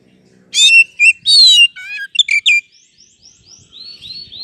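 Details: Song of an oriental magpie-robin, played to make a slow-to-warm bird respond quickly: strong clear whistled notes and trilled phrases, some dropping in pitch, trailing into softer repeated upslurred whistles.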